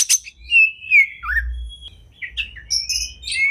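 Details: Oriental magpie-robin, called kacer, singing masteran: loud sharp chip, long sliding whistles, brief pause, then short varied notes and high clear whistles, with a low hum behind.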